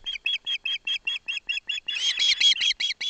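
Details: Osprey nestling, Barlinek Forest, taking a fish from its father as the mother attends: steady, evenly spaced shrill chirps that quicken and merge into a denser, more excited burst in the second half.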